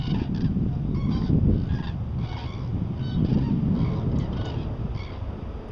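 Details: A flock of common cranes passes over Meerbusch-Büderich on the Rhine, giving overlapping trumpeting, rolling calls several times a second over a steady low rumble, with aircraft noise partly disturbing the recording.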